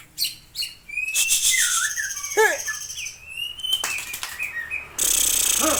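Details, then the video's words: Long-tailed Aceh white-rumped shama singing in a showy style with a rich fill of varied phrases: whistled slurs, sharp rising and falling notes and fast trills, ending in a loud burst of harsh hissing noise. "Style Murai Aceh Ekor Panjang Main Cantik Isian Mewah"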